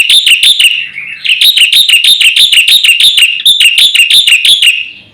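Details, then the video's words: Javan white starling master song used to make other birds sing: shrill, rapid repeated notes in long runs with brief breaks, fading at the end. "suara masteran jalak putih gacor full isian"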